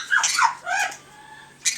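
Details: Harsh, grating squawks from a captive male blue-crowned conure indoors among other parrots, his plucked feathers regrowing: a rough double burst, a shorter scratchy call, then a sharp final screech after a brief pause.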